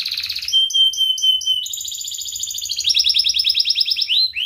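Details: Canary singing hard, 'ngerek' style, a training lure for young and reluctant canaries: bright buzzy trill, a run of short repeated whistled notes, then higher rapid rolls and a closing upward-swept phrase.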